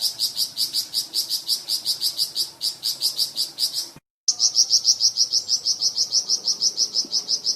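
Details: Flamboyan bird delivering long series of crisp, high chipping notes, about four per second, with a short break midway, as varied song for training cucak ijo and magpie robin.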